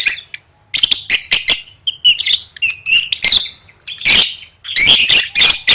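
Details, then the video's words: Singing-competition training by a lovebird, gacor gantang: rapid ticking squeaks building into loud, continuous buzzy chatter toward the end. "Suara Burung Lovebird III Latihan Gacor Gantang Siap Juara"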